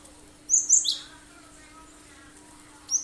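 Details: Cinereous tit (gelatik batu) in full 'tembakan tajam' sharp-shot song, used as a lure so other birds sing and imitate it: a quick burst of three very high, sharp chirps, then one more high note near the end.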